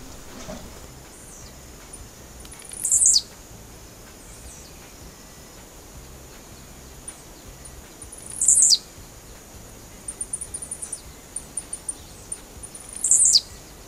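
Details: A Blue-black Grassquit (tiziu), a small bird well known to bird keepers that sings while jumping, gives a short, very high, buzzy descending phrase about every five seconds, with faint ticking notes between phrases.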